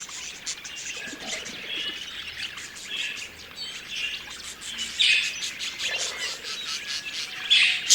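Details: Budgerigars (Melopsittacus undulatus), happy pet budgies, chatter in a dense, steady stream of high, scratchy chirps and warbles.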